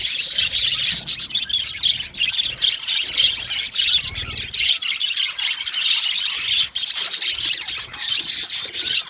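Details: Colony of budgerigars in an aviary, described as happy, giving dense, continuous high chattering chirps and squawks that overlap without pause, with a brief dip near the middle.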